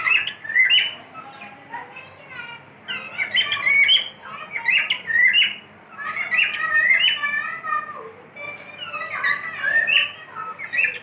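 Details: Long stretch of cockatiel whistling from a pet bird: lively warbled phrases with sweeping whistled notes, repeated with little rest.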